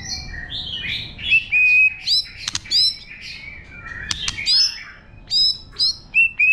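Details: White-rumped shama in wild-style song meant to excite freshly caught birds, pouring out varied whistled notes and slurred phrases, with loud, clipped, high repeated whistles in the second half and brief gaps between phrases.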